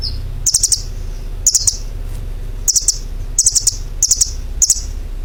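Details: Bird chirps at a high pitch, grouped into quick triplets of bright ticking notes that recur about every second against a low constant hum.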